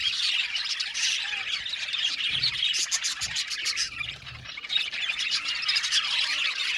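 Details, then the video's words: Budgerigar colony in an aviary, Australian parakeets chattering together: a dense, continuous wash of high chirps and scratchy squawks, with rapid irregular notes overlapping throughout and faint low rumbles underneath. "Budgie amazing chirping sound | Budgies calling sound to make him happy"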